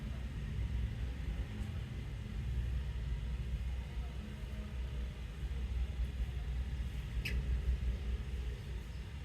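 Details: A deep, steady vehicle rumble fills the recording, with a single sharp click near the end and no animal voices.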